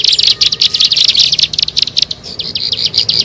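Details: Lure recording of a bar-winged prinia: quick bursts of sharp high chirps, about three per second, uneven in spacing and fading slightly toward the end.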